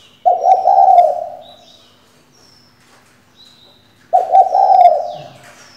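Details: Female spotted dove used as a lure for singing males, giving two low burry coos about four seconds apart, each roughly a second long, with silence between.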